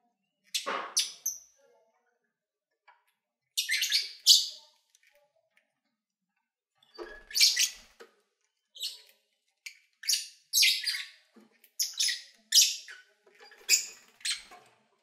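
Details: Pet lovebirds recorded in February 2019 while eating, singing and playing; scattered bursts of harsh, high chirps and short squeaky notes come in irregular clusters separated by brief pauses.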